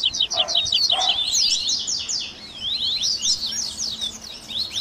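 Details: Overlapping songs of several double-collared seedeaters, a tui tui baderna used to train captive birds: rapid high chirps and downslurred whistles pouring out almost nonstop, with two brief lower notes early on.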